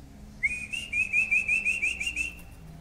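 A greater green leafbird sings a fast run of about a dozen sharp, chattering whistled notes at a steady high pitch over roughly two seconds, with a faint low hum behind.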